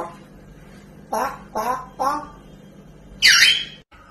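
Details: A talkative pet African grey parrot, said to swear and dislike noise, gives three quick speech-like phrases (swearing) about half a second apart, then a loud harsh squawk.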